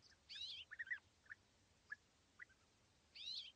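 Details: Pair of European bee-eaters perched together in small trees at East Leake Quarry, 80 metres off, on a very sunny morning, 5 July 2017: burry, rolling trilled calls open and close the clip, with short lower chirps between.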